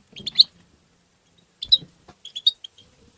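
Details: European goldfinch, tabtaba style song used to stimulate goldfinches: two brief bursts of sharp, high twittered notes separated by a silent gap of about a second, with a faint low rumble underneath.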